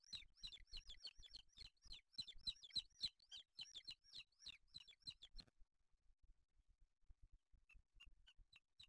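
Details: At a booted eagle nest in Spain, 8 July 2023, where chicks are fed a small bird brought by the male; a fast, regular series of high, downslurred chirps that breaks off, then a few soft, widely spaced notes.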